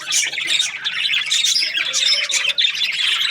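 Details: Budgerigar chirping cheerfully: quick, scratchy twitters and squeaky notes follow one another in rapid, slightly uneven pulses.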